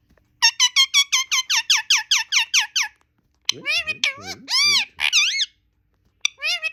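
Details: Talking pet parrot indoors: a rapid run of about twelve high, squeaky repeated notes, a short pause, then several wavering, voice-like syllables like mimicked speech, ending with a brief squeaky burst.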